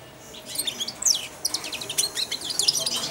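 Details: A young European goldfinch, aged four months and kept caged, practising subsong on its keeper's feeding hand: rapid high twittering and tinkling notes in quick, uneven bursts.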